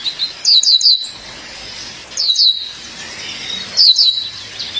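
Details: A female violaceous euphonia calls to her mate with three quick bursts of piercing, high, falling chirps, one about every one and a half seconds, over a low hiss.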